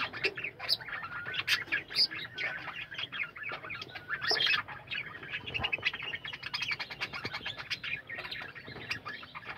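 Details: Chorus from a colony of caged budgerigars: nonstop twittering warbles mixed with buzzy squawks and quick high chirps from many birds.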